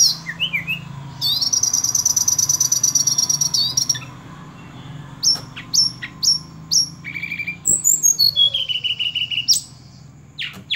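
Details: Sunda robin delivering a long, rapid buzzy trill, then a string of crisp repeated chirps and a bright whistle that sweeps downward, all high in pitch.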